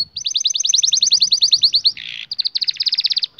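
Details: Canary song used to train young canaries: a fast even series of upswept whistled notes, about ten per second, broken by a short harsh rasp, then more rapid trilling.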